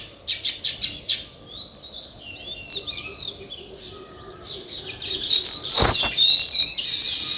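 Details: Sparrows chirping naturally: a run of evenly spaced sharp chirps, some softer twittering, then a louder crowded chorus with a brief thump.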